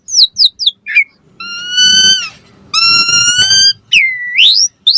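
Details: Asian pied starling song played to prompt other starlings to answer and sing, with quick sharp chirps followed by long harmonic whistles held about a second each and a swooping rising note.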